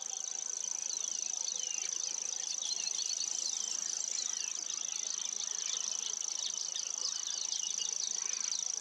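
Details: Sustained reeling song of a common grasshopper warbler, a loud, very high, even buzz like a fishing reel held without pause, accompanied by a chorus of other birds chirping and trilling.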